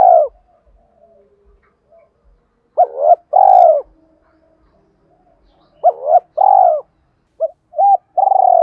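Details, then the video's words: Spotted dove, 'thổ' voice style, uttering a fight-provoking challenge call blended with calling song: three separate cooing phrases, each a clipped hoot followed by a drawn-out rolled coo, with quiet gaps between. "cu gáy giọng thổ pha thúc đấu + gáy gọi, tiếng thúc đấu rút bổi căng đét"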